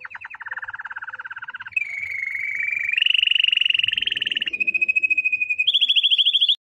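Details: Malinois canary song: a string of rapid rolling trills, each held about a second before shifting to a higher, brighter tour; no other sounds.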